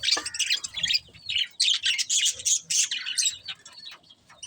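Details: Excited budgie chatter: fast, steady strings of high, squeaky chirps and buzzy warbled phrases, many notes a second, easing slightly toward the end.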